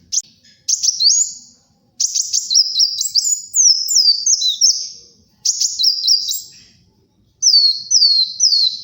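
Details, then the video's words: Kolibri wulung sunbird singing energetically, used as a luring and tutor recording: long, high-pitched twittering phrases of quick clicks and stepped, swooping whistles, some over two seconds long, broken by brief pauses; no other sounds. "SUARA BURUNG KOLIBRI WULUNG GACOR, UNTUK PIKAT & MASTERAN"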